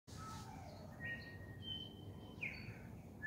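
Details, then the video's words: A bellbird sings at sunset, pure bell-like whistled notes, some held steady and others sliding, at a few different pitches over a low background rumble. "bell bird sunset song"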